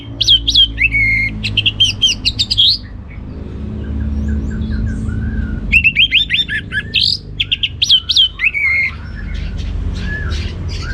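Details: Vigorous ngeplong-style song of an orange-headed thrush: dense bursts of varied, sharply slurred whistles and chattering notes in long phrases, pausing briefly before another rich burst, with a steady low hum behind.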